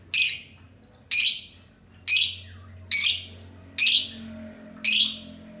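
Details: Two green lovebirds giving the long ngekek song together: six harsh, shrill, buzzy bursts, each sharply loud then fading, about one per second, over a low background hum.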